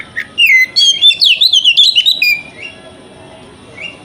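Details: Oriental magpie-robin (kacer) in wikplong style, played as a morning lure to spur another kacer to open its tail: a quick run of clear whistled notes and sliding chirps, high and varied, then a quiet pause with one soft whistle.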